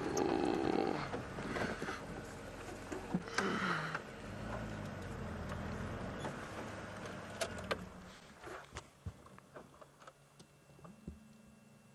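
Vehicle and road noise with engine rumble, a few clicks and thumps, and no animal sounds.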